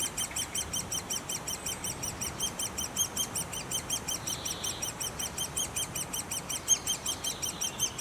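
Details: Continuous rapid squeaking from great spotted woodpeckers at the nest, the notes high and sharp, pulsing in regular bursts, with a faint buzzy sound in the middle.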